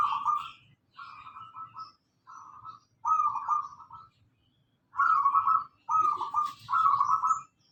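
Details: Local zebra dove (perkutut lokal), singing steadily and used as a lure to prompt caged birds to sing: a run of seven short, rolling, burry coos in about eight seconds, with brief pauses between phrases and a faint low rumble underneath.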